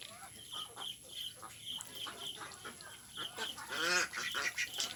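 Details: Ducks on a pond, a mix of Mandarin Ducks, Mallards and Pekin Ducks, calling with short nasal quacks in uneven bursts, a louder harsh run of quacks near the end, over steady high chirping and faint background hiss.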